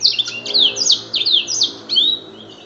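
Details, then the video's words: Canary, a former competition winner, singing in imitation of black-throat song: high, bright descending slurred notes repeated in a quick rhythmic series with short chips between them. "Burung Kenari Isian Blackstroath Juara"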